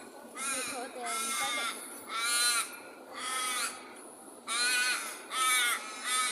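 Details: Daytime birds in Perth call in a series of loud, harsh, drawn-out squawks, roughly six over a few seconds, each nasal and rich in overtones. Gaps in between hold a steady street hiss.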